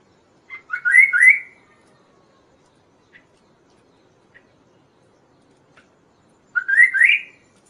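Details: Kaso-kaso song as lure and tutor material: two bursts of quick rising, slurred chattering notes, roughly six seconds apart, with faint clicks between them.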